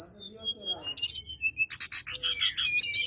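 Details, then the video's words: Bar-winged prinia singing as if seeking a rival, a lure to start white-rumped shamas singing: soft high whistles first, then harsh, rapid buzzy bursts crowding together. "Tledekan gunung gacor, nyengklek nyari lawan, cocok buat pancingan burung kacer"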